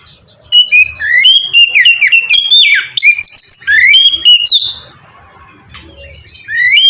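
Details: Sweet oriental magpie-robin song for luring birds to sing: continuous varied whistles swooping up and down with crisp clicks, a short quiet gap, then a final rising whistle.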